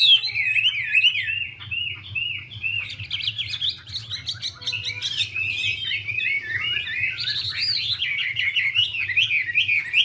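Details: Chinese hwamei; a female dances with spread wings to rouse the male. Rich, fast warbling runs of looping, slurred whistles, unbroken for ten seconds, over a steady low hum.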